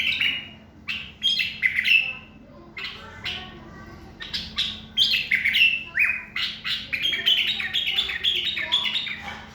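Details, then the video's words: Common bulbul singing. Bright whistled phrases with slurred, falling and level notes, delivered in quick bursts separated by short pauses. "صوت بلبل تغريد يخبل"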